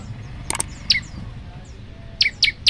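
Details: Male olive-backed tailorbird calling a female, giving a few sharp, high, downward-slurred notes, with a quick burst of clicks early on and a closing run of three evenly spaced notes.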